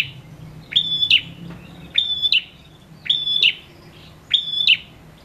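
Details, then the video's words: Male prinia singing briskly, used to stir reluctant prinias into song: four phrases, each a sharp click, a flat high whistle and a buzzy closing snap, spaced about a second apart over a faint low hum. "Prenjak jantan gacor!!! Ampuh merangsang bunyi prenjak malas bunyi"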